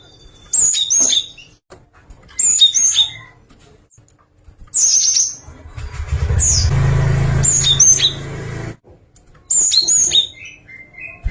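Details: Java sparrow singing in clusters of high, bell-like chirps and twittering notes every couple of seconds, while a passing vehicle rumbles loudly through the middle.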